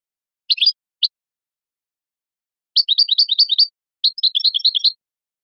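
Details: European goldfinch song aimed at training and stimulating goldfinches to mate: two short opening chirps, a pause, then two dense bursts of quick tinkling twitter separated by a brief gap.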